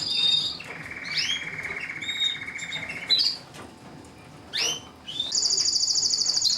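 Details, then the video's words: Mosaic canary singing. A high whistled opening gives way to a long, steady, buzzy trill held for about two seconds. Short upward-sweeping notes follow, then a fast, very high rattling trill at the end. "تغريد الكناري موزايك مالتي"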